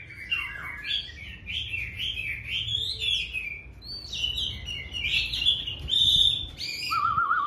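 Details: Chinese hwamei singing at the start of the day: a continuous flowing run of rich, warbled, rising and falling whistled phrases, ending in a lower, quavering trilled note.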